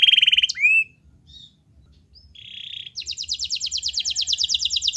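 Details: Canary singing in a lively chatty style, played to coax a lazy canary to answer: a buzzy burst and a clear upslurred whistle, a brief pause, a flat buzzy note, then a rapid pulsing trill.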